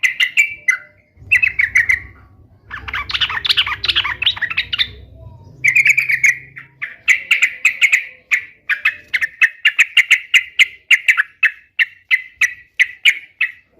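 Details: Sooty-headed bulbul song played to make pet bulbuls sing in reply: short chattering warbled phrases, then a long run of bright, evenly repeated notes about twice per second, with a faint low hum near the start.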